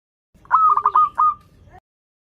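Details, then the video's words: Local zebra dove singing actively with a melodious voice, used as a lure for doves learning to sing: one phrase of soft, rolling cooing notes running into a steady held tone, then a faint trailing note. "PERKUTUT LOKAL GACOR Suara Merdu"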